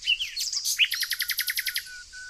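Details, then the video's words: Nightingale recorded unedited amid flowers in the green nature of Tonekabon, Mazandaran province, north Iran. A brief squeaky flourish leads into a fast, even trill of about twelve clipped notes, ending on a thin sustained tone. "12 minutes lovely moment - beautiful flowers - nightingale"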